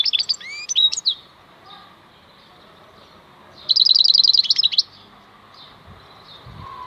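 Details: European goldfinch, described as wild (maknine khalwi), gives a few scattered high liquid chirps and slurred notes, then a single rapid tinkling trill of about one second, followed by quiet with faint background hiss.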